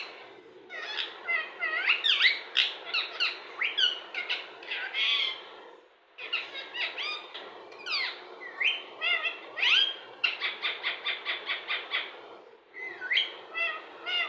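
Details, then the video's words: Pet Indian ringneck parrot talking and mimicking many words: dense bursts of raspy, harmonic syllables mixed with shrill squawks and quick chirps, with brief pauses between phrases. "Talking Parrot | Funny Bird mimics many words"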